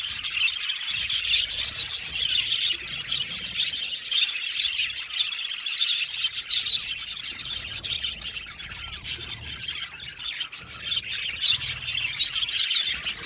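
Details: Colony of about 70 pairs of budgerigars in an aviary, a dense continuous chatter of overlapping high chirps and warbles from many birds at once, with no pauses throughout.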